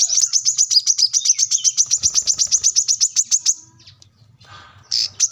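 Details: Plain-throated sunbird singing vigorously to seek a rival: a steady rapid train of high thin chips for over three seconds, then quiet and a short final note.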